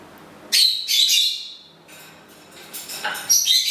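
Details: A pet parrot sings happy birthday to its owner on her birthday, a surprise after a month of silence on the tune; two loud rasping phrases at the start, a quiet gap, then more squawky mimicked notes.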